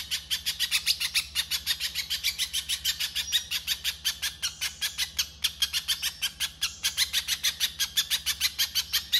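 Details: Little spiderhunter, kept as a master song bird, giving a harsh, rapid song: a fast chattering stream of sharp notes, about four to five per second, steady throughout, with a low constant hum underneath.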